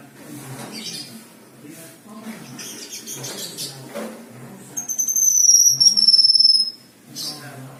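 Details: Black-winged myna (kinoi) in 'isian' song: a single long, high whistle gently falling in pitch, lasting about two seconds, set against low background chatter and rustling.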